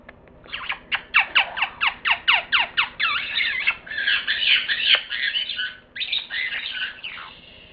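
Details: Parrot squawking: a rapid series of sharp repeated notes, then long harsh grating squawks that rise and fall, in a small room.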